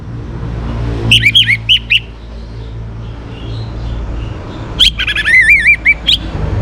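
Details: Orange-headed thrush, young and in active song, used as a lure to get other birds singing: clipped whistles, a pause, then a longer phrase of wavering, rolling whistled notes, with a low hum behind.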